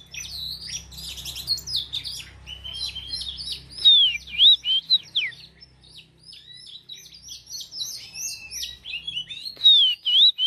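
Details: Lure Oriental magpie-robin used to rouse fighting birds, giving a long, varied song of high twittering phrases and clear, looping whistles, with a buzzy opening and a low hum beneath.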